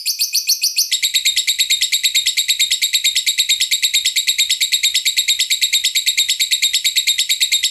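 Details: Master song of a lovebird for training. A short warbled phrase is followed by a long, highly regular trill of piercing chirps, about nine per second, continuing unchanged to the end.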